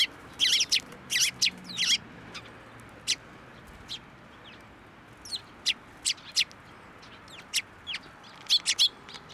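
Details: Bright, harsh chirps from sparrows that come to a person's hand for food at a Tenmangu shrine, June 2024. A quick cluster opens the recording, then scattered single notes follow at irregular gaps.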